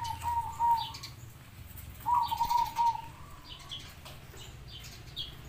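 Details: Zebra dove song, local bird set against a crossbred one, meant as a master recording to draw other doves into answering: two bursts of rapid, low, bubbling coos, each under a second, separated by a short pause, over faint background hiss.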